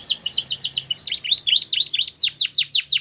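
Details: Canary singing for training young birds: rapid, bright chirping phrase of quick high notes, then a series of regularly repeated V-shaped whistled syllables, about five per second.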